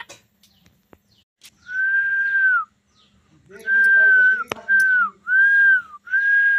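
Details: Pet parrot whistling a series of long, level tones that bend downward at the end, each lasting under a second, with short pauses between them and faint chatter in the background.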